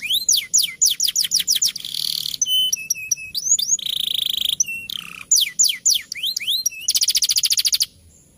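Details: Champion canary song used as a tutor for other birds, in a rolling fighter style. Rapid series of rising whistled sweeps, then buzzy trills, steady high notes and a fast rattling run. A quiet background.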